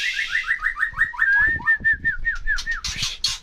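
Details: Songbird in full voice: a fast chain of clear downslurred whistles, about ten in under two seconds, ending in noisy bursts.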